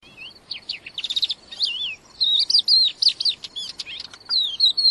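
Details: Song of a wild crested lark in full voice, quick varied phrases of slurred whistles and sharp chirps, clustered notes then brief gaps, with soft background hiss.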